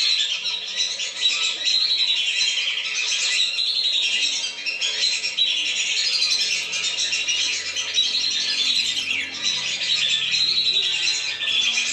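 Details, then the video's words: Lesser whistling ducks in a lure recording meant to draw them down: a dense, unbroken chorus of many high, overlapping whistles, steady in loudness for the whole stretch. "SUARA PIKAT BURUNG BLIBIS. jamin turun"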